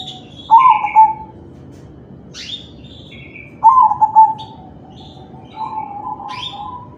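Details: Crossing zebra dove singing kalung tempuk, played to make other doves join in: repeated low, bubbling coo phrases about three seconds apart, one ending in a drawn-out tone, with thin high chirps and buzzes from other birds.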